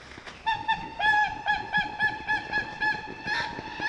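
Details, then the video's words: Whooper swans recorded in the wild, a flock giving loud nasal honking calls in quick overlapping succession, bugle-like notes repeated roughly twice a second over a background murmur. "Whooper Swan Sound – Song & Bird Calls"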